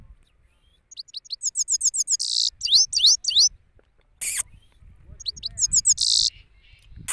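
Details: Male European goldfinch in Parachinar, Pakistan, singing in open surroundings: bursts of rapid high chirps with a rasping buzzy note in each phrase, separated by a short pause and a sharp click.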